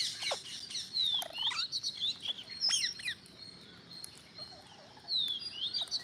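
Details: A gathering of green parrots gives sharp down-slurred whistles and scratchy chirps in irregular clusters, some loud and close, others fainter in the background.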